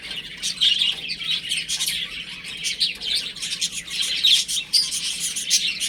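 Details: Several chicks playing indoors at home, giving a steady stream of thin, high-pitched cheeping notes that overlap into a busy chatter, some short peeps rising above the rest.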